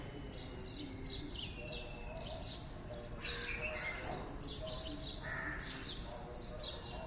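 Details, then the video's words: Birds singing in the morning, a busy mix of high twittering chirps and short whistled notes from several callers, with constant low background noise. "Morning Birds sound"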